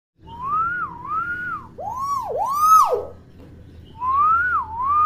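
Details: Common hill myna, a chatty, actively vocal bird kept as a tutor for young mynas: loud clear whistles, first a wavering rising-falling phrase, then deep looping swoops with bright overtones, then a rising wavy whistle again.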